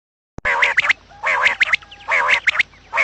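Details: Quail calling in the morning, a recording used to lure quails for trapping: harsh, nasal, buzzy bursts about a second long, repeated roughly once per second, with quick chirpy squeaks between them.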